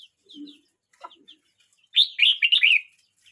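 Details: A red-whiskered bulbul aged 12 months 29 days gives scattered soft chips and a low note, then bursts into a loud, rollicking string of slurred whistled notes lasting about a second.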